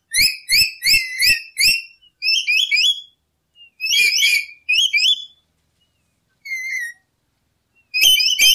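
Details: Lory in a lure recording giving loud, harsh-edged whistles in quick repeated bursts with clicks beneath them. These are followed by varied, broken phrases and a lone drawn-out note, then a fresh loud burst at the end.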